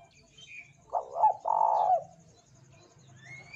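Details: Spotted dove coo used as a lure to get other doves singing: a short throaty note, a brief pause, then a longer, hoarse, slightly falling coo. A steady low hum runs underneath, with faint high tones.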